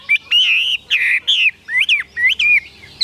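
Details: Caged Chinese hwamei, described as 85–90% tame, singing loud clear whistled phrases that swoop up and down, each note separated by short pauses, about eight phrases in three seconds.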